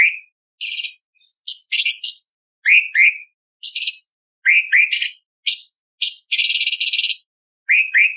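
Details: Light-vented bulbul singing a tembakan laced with lovebird, parakeet, ciblek and pancawarna imitations: a quick jumble of lower upslurred whistles, high sharp chirps and one long harsh buzzy rattle, delivered rapidly with short gaps.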